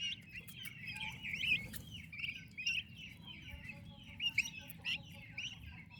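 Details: Young turkey chicks in their mother's care keep up a constant high piping, with many short rising and falling peeps crowding together. A few soft lower notes and steady low background noise run beneath.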